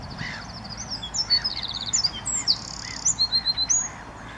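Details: Several wild Eurasian wrens singing one morning at RSPB Saltholme on 01/04/2014, recorded with a Canon SX50 HS: rapid, very high trills and ringing chattering notes pour out in quick runs, almost continuous across the few seconds.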